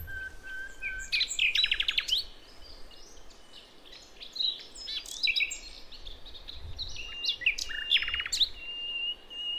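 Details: Wild forest songbird from the jungles of Java and Aceh, recorded as a lure for young wild birds: sharp rising chirps and rapid buzzy trills around two and eight seconds, a steady thin whistle between, over soft background hiss.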